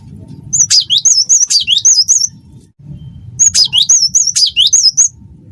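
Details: Vigorous song of a cinereous tit, wingko variety, used as a tutor recording to spur other birds to sing. Two dense strings of sharp, high whistles rise and dip rapidly, separated by a short gap, over low background rumble.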